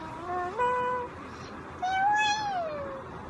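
An Eclectus parrot gives two drawn-out, tuneful notes, the first rising then held, the second swelling and sliding down. They sound like sung or meow-like mimicry.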